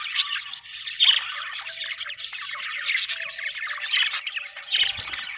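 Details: Budgerigars produce rapid overlapping squawks and warbled chirps, dense and unbroken, with a short knock near the end.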